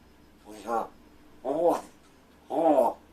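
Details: Rescued large-billed crow practicing talking indoors, attempting words such as good morning and food as its keeper feigns sleep; three rough, voice-like two-part utterances about a second apart, hoarse and harmonic.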